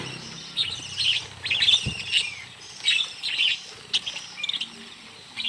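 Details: Many budgerigars in a small aviary during hand feeding give bright, warbling chirps in short bursts, about two per second, with soft wing flutters and rustling in between.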